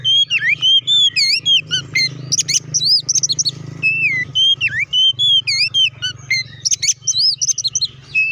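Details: Oriental magpie-robin in full song meant to provoke rivals: a dense, continuous stream of clear whistles, swooping slurs and sharp chipping notes, loud throughout, over a low steady hum.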